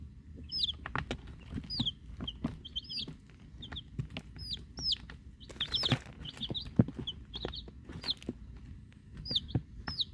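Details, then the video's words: Week-old chicks, Rhode Island Red and Black Sumatra hens, fresh from the hatchery; continuous high falling peeps in bursts from many chicks, with scratching, clicks and handling noises throughout. "Week Old Chicks"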